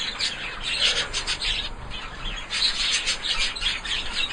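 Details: Zebra finch parents calling while teaching their fledgling chicks to fly back to the nest and rail: a rapid series of short, nasal, buzzy chirps and rasping notes, high-pitched and irregular, with a man speaking over them.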